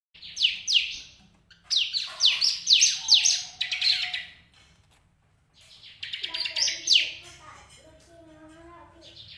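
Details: Caged bar-winged prinia kept for breeding in a daily cage, giving rapid series of sharp, high downslurred chirps in bursts, with a pause midway, then lower steady tonal notes beneath further chirps.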